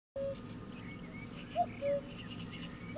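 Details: Cuckoo giving a two-note cu-coo, the first note higher and the second lower and level, with one lone low note just before it, over steady low background rumble.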